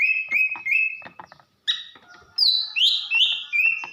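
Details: Female greater green leafbird, Banyuwangi stock, giving calls to excite a male: a steady series of flat whistled notes, a brief pause, then higher, sliding whistles and quick repeats.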